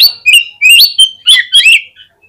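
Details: Short Oriental magpie-robin phrase, a lure meant to make other birds answer and open their tails: about five clear whistled notes, several sliding upward, delivered in quick succession.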